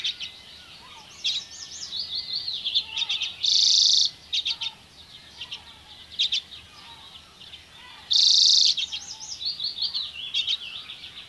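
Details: Dozens of Common Redpolls foraging on alder cones in Haren in 2024 give rapid, dry twittering chatter, broken twice by a harsh, drawn-out buzzy note.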